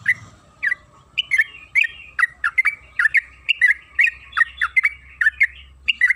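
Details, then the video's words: Lure recording of a yellow-vented bulbul (trucukan kebo) in lively chatter: quick, bubbly two-part notes dipping and rising, delivered in a tight run after a brief opening pause. "Pancingan trucukan agar bunyi‼️Suara burung TRUCUKAN KEBO Gacor ropel Panjang"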